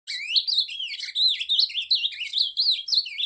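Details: Ultramarine grosbeak from Cariri singing a rich, fast warble of sliding whistled notes that rise and fall, delivered in one unbroken phrase with a short pause near the middle.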